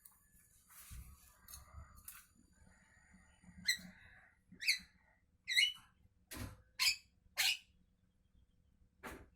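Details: Javan myna singing in the morning: scattered harsh, buzzy notes with metallic squeaky inflections, spaced irregularly and growing louder toward the end, over a faint low hum.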